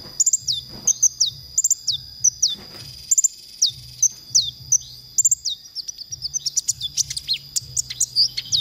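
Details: Konin song used as a training recording for songbirds, meant to rouse their emotion; loud high chirps and sweeping whistles in rapid bursts, ending in a dense twittering trill, over soft low rhythmic thumping.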